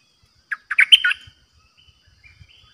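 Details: Caged decoy Streak-eared bulbul recorded 06/05/2022 in pure 'dok' style: one short phrase of five lively, chattering notes climbing to a bright peak and falling away, followed by faint low knocks.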